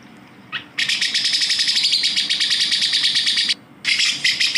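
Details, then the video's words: Grey-cheeked bulbul, a training recording for songbirds, giving a dense, harsh, buzzing chatter that runs without a break for nearly three seconds, then stops briefly and resumes. "masteran suara burung cucak jenggot"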